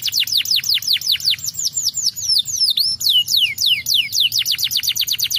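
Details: Canary song played to stimulate birds: rapid series of falling whistled sweeps repeated about twice a second, shifting into varied swooping and rising notes, with a faint low hum underneath.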